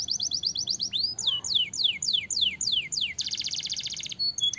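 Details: Canary song for prompting other birds to sing, starting with a fast high rolling trill, a rising slur, a series of descending whistled sweeps, then a loud buzzy rattle and short chirps.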